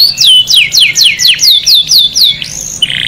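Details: Canary song used to stimulate males to sing and mate and to teach chicks: a fast series of high, descending whistled sweeps, about two per second, ending in a rising note and a buzzy trill.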